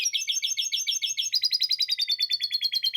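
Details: Canary singing with lovebird-style chatter: bright, quick chirped notes repeated several times a second, then a slightly higher, denser tour of similar notes that continues to the end. No background sound.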